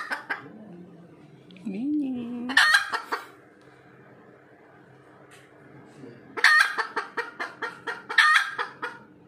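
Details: Red junglefowl after laying an egg: bursts of loud, harsh squawks, each followed by rapid, rhythmic clucking, with a low, tonal sound early on.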